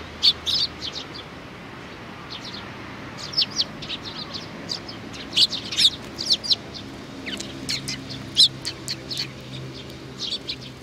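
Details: Busy sparrow chatter recorded 27 June 2019, a little one doing its best: dense bursts of high chirps, some loud and doubled, crowding together in the middle before thinning out.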